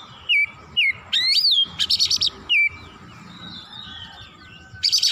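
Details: Oriental magpie-robin (kacer) in an agitated state, pouring out its repertoire: slurred whistled notes, a rising sweep, harsh buzzy rattles, a quiet middle, and a final rasp.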